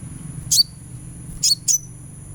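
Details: Sunbird sound for therapy to make a bird sing: three brief, very high chirps with short downward slides, spaced about a second apart, over a faint steady high tone.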